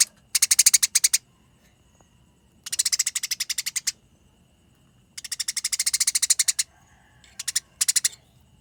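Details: Dense, long runs of rapid, scratchy chirps from fighting Eurasian tree sparrows, three extended volleys followed by two short bursts, with quiet pauses between.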